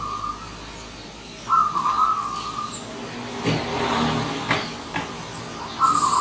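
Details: Wild zebra dove that has come visiting, uttering trilled, bubbling coo phrases, one long phrase followed by a later start, while passing vehicle noise fills the middle stretch.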